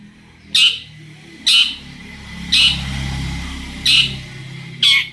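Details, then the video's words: Long-tailed shrike lure call meant to prompt other shrikes to answer: five rasping, scratchy squawks about a second apart over a steady low rumble of background noise. "cendet gacor pancingan burung cendet agar cendet bunyi INI AMPUH BIKIN burung cendet lain NYAUT"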